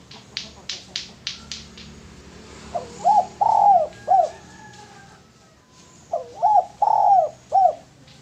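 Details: Male spotted dove, kept as a lure bird, gives two cooing phrases. Each phrase is a short note, a longer slurred coo and a clipped final coo. Sharp clicking taps come before the first phrase.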